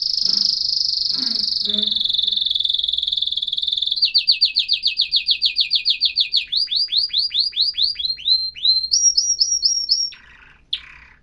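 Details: Canary song in a cascade of tours: a high buzzy roll, a slightly lower rattle, then rapid repeated down-slurred notes slowing into separate swooping whistles, ending in a high trill and a brief pause.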